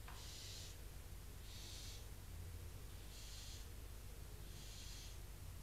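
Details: Inside a barn owl nest box at Cabañeros National Park, the older chicks retreat and rasp at an intruding female owl perched on the box. Four harsh, airy hisses, each about half a second long and spaced roughly every one and a half seconds, with steady low background rumble.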